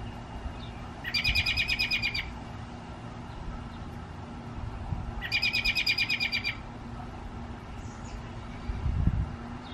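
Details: American robin perched on a backyard fence, calling: two bursts of rapid, chattering notes, each about a second long and roughly four seconds apart, over a steady low hum and a faint thump near the end.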